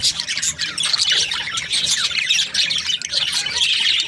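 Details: Happy budgerigar breeding pairs chattering: busy layered chirps, squawks and warbles from several birds, steady and unbroken, with quick irregular notes overlapping.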